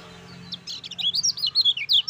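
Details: Caged lemon-bellied white-eye song used as a master recording to get lazy birds singing: quick, high, chirpy notes in a rapid string, some sliding down, with a low hum beneath.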